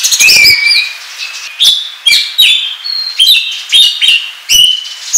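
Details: Oriental magpie-robin song played to lure birds for trapping: loud whistled phrases repeated roughly every half second, each opening with a sharp click and sliding up or down.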